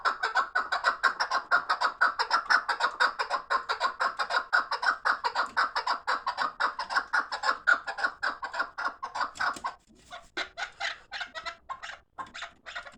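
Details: Fighting partridges: a fast series of hoarse, clucking chuk notes about two per second, steady for ten seconds before breaking into looser, scattered notes.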